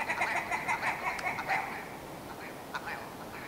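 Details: Quieter willow ptarmigan clucks: a run of soft, nasal, evenly spaced notes over a hiss of background noise, then a couple of isolated notes.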